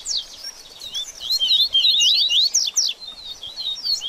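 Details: 'Baderninha' song of a double-collared seedeater, meant to stimulate a bird after its moult. It opens with a few sharp high notes, then runs into a dense, quick string of upslurred whistles and chips, fading to scattered notes.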